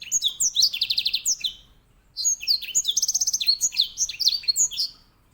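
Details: Grey singing finch, called edel sanger, kept as a canary master bird: two loud continuous phrases mixing high slurred whistles with fast rattling trills, separated by a brief pause.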